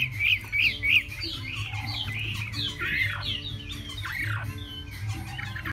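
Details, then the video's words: Hwamei singing, likely a caged songbird: a run of varied loud whistled notes, short rising and falling slurs and trills packed densely, with a low steady hum beneath throughout. "Chim Họa Mi"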